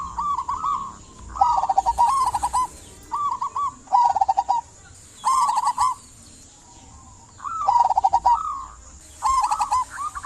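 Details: Local zebra dove singing vigorously, used as a lure to make silent doves sing; rapid trilling coo phrases repeated in regular bouts of about one second, with short gaps and a faint background hiss.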